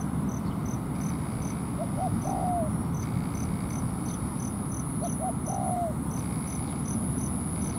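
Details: Spotted dove at a ground decoy trap set to bring a wild dove down to fight: two coo phrases, paired short notes then a sliding downward coo, over regular insect pulses and constant low noise.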